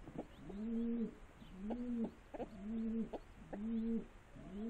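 A pigeon gives low, soft, throaty coos, each a rolling hum repeated roughly once a second in a steady series, with faint outdoor background.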